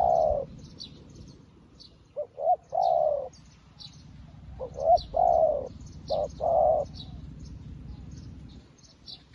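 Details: Newly kept decoy spotted dove used for trapping, calling to wild doves like an experienced decoy: low hollow coos in a short-short-long phrase, given twice, with faint high chirps of small birds behind and a low rural rumble.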